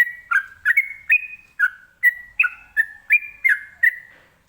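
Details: Rapid ropelan song of a sooty-headed bulbul, used to make other birds respond: around ten clear whistled phrases in steady succession, alternating rising and falling slurs with held tones, faint low thumps underneath.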